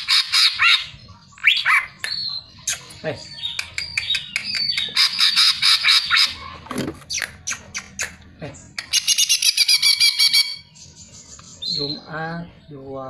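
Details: Greater green leafbird lure song meant to set other birds singing, a varied medley of harsh squawks, clicks, high whistled slurs and rattling trills, ending with lower rippling descending notes.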